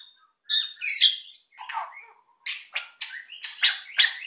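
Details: Energetic white-rumped shama singing to provoke quiet birds into song, with sharp high chattering notes, a lower harsh phrase in the middle, then rapid bursts of bright metallic notes, all clean and close.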